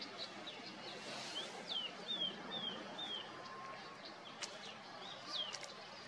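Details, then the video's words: Red-winged shrike-babbler, a shy mountain forest bird, calling in the orchard and botanical gardens at Motidhar, Mussoorie, in the Himalayan hills; a series of five or six short high downslurred notes in quick succession over a steady background hiss. "Red-winged Shrike Babbler calls loud and clear"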